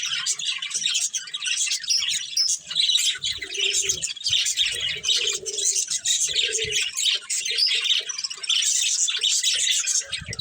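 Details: Breeding pair of budgerigars kept as pets, chirping continuously in dense, scratchy high warbles with chattering notes, plus low thumps and brief mid-pitched squawks from the cage.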